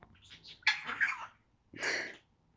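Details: Nine-month-old pet African grey parrot imitating a human cough: two harsh, breathy coughs about a second apart, with faint soft sounds before them.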